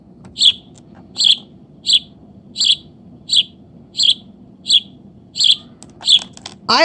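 Sparrow giving bright, short chirps, about nine in under seven seconds at a fairly steady pace, over a low background hum.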